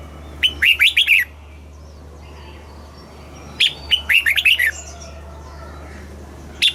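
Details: Southern-style red-whiskered bulbul song from Thailand, used to rouse caged birds and teach chicks: two bursts of fast, bubbling whistled notes about three seconds apart, with a steady low hum underneath.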